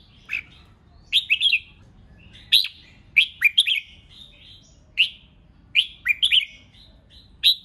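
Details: Red-whiskered bulbul delivers the 'hót ché' dueling song meant to provoke rivals into answering. Repeated bright, slurred two- and three-note phrases come roughly every second or so, loud and clear over quiet low background noise.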